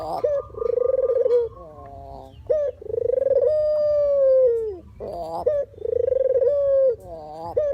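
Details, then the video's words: Puter or deruk dove, a call used to lure birds into traps; a purring coo, a brief hoarse interlude, then a long smooth drawn-out coo falling at the end, and another rolling purr afterward. "suara asli burung puter/deruk buat isian,pikat dan pancingan"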